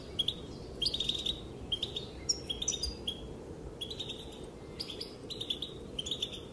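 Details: Goldfinch female calling as males respond with dancing; thin, high twittering phrases come in short bursts separated by brief gaps, fairly faint over a noisy low background.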